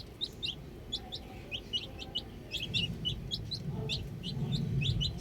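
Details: Several baby chicks outside, giving rapid, sharp, high chirps that scatter irregularly, while a low rumbling noise grows louder toward the end.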